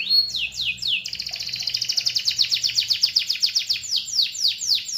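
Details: Canary singing: a few high downslurred whistles, then a rapid rolling trill of sharp chirps, ending in slower sweeping notes, with faint low hum behind.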